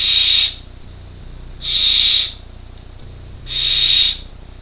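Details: Three drawn-out hissing snores, each about half a second and nearly two seconds apart, from four well-grown Barn Owl chicks close to leaving their artificial nest box in Co. Kerry; a faint low hum sits underneath.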